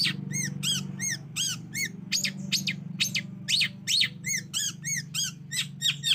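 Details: Long-tailed shrike calling on a lure track for prompting a silent shrike to sing: quick arched nasal notes mixed with rough rasping bursts, irregularly spaced, over constant low hum.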